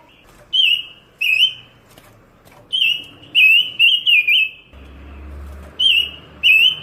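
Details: Pancawarna bird singing busily in a tutoring recording: repeated loud, slurred whistled notes that wobble up and down, in clusters of one to four with brief pauses, over a low background hum.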